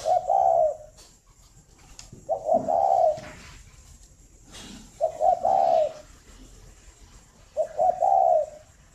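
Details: Spotted dove, a caged breeding bird at a farm in Ba Vì, Hanoi, Vietnam, cooing in the morning. Four mellow three-note phrases, each ending in a long drawn coo, repeated roughly every two and a half seconds. Faint clicks in the background.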